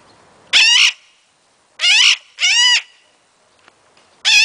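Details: A male pet Illiger's macaw, showing his wild side, gives four loud, harsh, raspy screeches, each under half a second, in an uneven series with quiet gaps.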